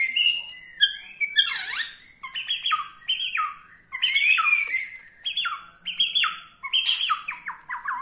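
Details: Bornean-style white-rumped shama whose song provokes rival shamas: varied clear whistles, downward and upward sweeps and stepped falling phrases in quick succession, with short pauses between bursts.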